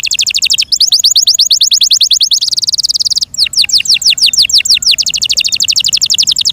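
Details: Yorkshire canary in care sings continuous high trills, one fast rattle shifting into a denser buzzing roll, a short break, then repeated steep falling whistles.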